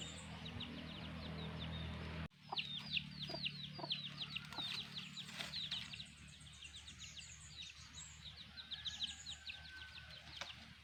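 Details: Black hen with her chicks: after a brief low hum, the chicks give a fast series of high, thin, downward-sliding peeps, many per second, with a few soft low clucks mixed in.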